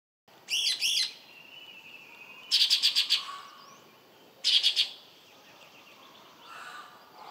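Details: A Sultan tit (Melanochlora sultanea) in Hainan, China, gives calls: three bursts of harsh, rapid chattering notes about two seconds apart, with a thin steady whistle between the first two bursts.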